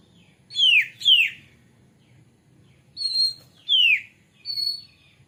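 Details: Shama lure recording to make a bird sing: clear, loud downslurred whistles and steady high pure notes, given singly or in pairs with short pauses between.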